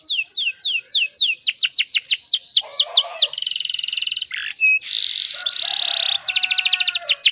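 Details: Canary song meant to prompt other canaries to sing: rapid descending whistled notes giving way to buzzy trills and rolling rattles, then more quick falling whistles.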